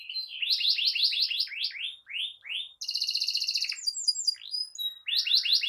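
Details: Canary in energetic ngerol song, used to tutor young canaries and coax silent ones: rising chirped notes, a short buzzy roll, thin high whistles, then renewed rising chirps.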